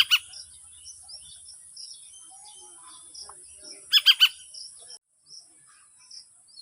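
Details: A baby Indian golden oriole in a backyard garden, calling its mother who is nearby searching for food, gives one harsh, rasping note, then a quick burst of three a few seconds later; faint chirps and steady high insect-like hiss behind.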